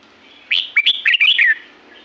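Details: Wild red-whiskered bulbul at Pa La-u forest, Thailand, gives one lively phrase of five or six chirpy, bubbling whistles that step up and down and close on a downslurred note. A soft hum lies beneath.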